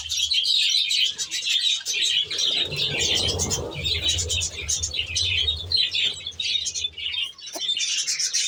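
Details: Flock of budgerigars in an aviary chirping and warbling in high overlapping bursts, with a low rumbling sound in the middle of the recording.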